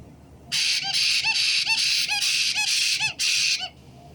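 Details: White-bellied caique giving a rapid series of harsh, broadband squawks, about seven bursts in three seconds with short gaps, each ending in a brief rising note, against a quiet background.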